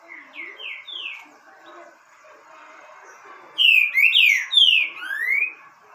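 A Green-winged saltator sings clear, slurred whistles, first a soft series of falling notes, then a loud burst of rich rising and falling phrases.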